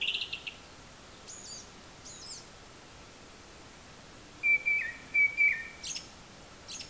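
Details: Japanese thrush singing from high up, imitating the calls of various other birds: thin, very high notes early on, then a run of clear whistled notes toward the end, closing with sharp high chips over a quiet background.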